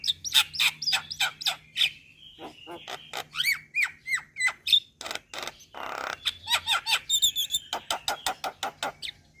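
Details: Lure calls for all kinds of starlings, meant to make Asian pied starling, Javan pied starling and hill myna respond at once: harsh squawks, slurred whistles and grating chatter in quick, irregular succession, with a short rattling buzz near the end.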